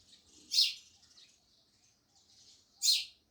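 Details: Two loud, harsh sparrow chirps about two seconds apart, with faint twittering in between.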